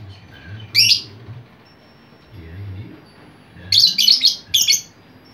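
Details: Noisy lovebird chatter meant to attract other lovebirds: one sharp high squawk, a pause with low murmuring voices behind, then a fast cluster of four harsh shrieks.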